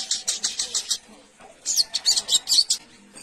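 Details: Spiderhunter (sogok ontong, sogon) calling to companions, a small bright nectar-eating songbird: two bursts of rapid, sharp high chirps, about five notes each, separated by a short pause.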